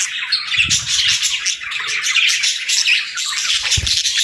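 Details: Caged parakeets with lovebirds in morning chorus: a steady wash of shrill chirps and squeaky notes from many birds at once, broken by two dull low knocks.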